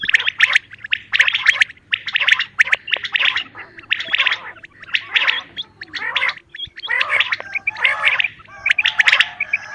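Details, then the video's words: Common quail calling, used for hunting and netting, possibly a female's call: bright, liquid, gurgling bursts about once a second, sometimes overlapping as if several birds call at once. "batair calling voice sound"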